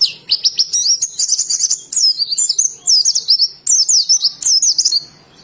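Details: Oriental white-eye from Indonesia singing in the wild style: a dense, fast torrent of high twittering and warbled notes, continuous and excited with brief pauses.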